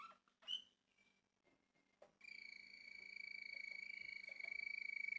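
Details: Indoor song of a male Malinois Waterslager canary kept by a Turkish breeder: brief chirps and a thin whistle, then a long level trilled whistle with rapid pulsing, bright and overtone-rich, sustained for several seconds.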